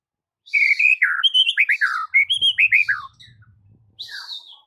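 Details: A white-rumped shama sings on a training track for mute shamas, delivering a fast cascade of loud, downward-slurred whistles, roughly three notes a second, ending in a higher buzzy note.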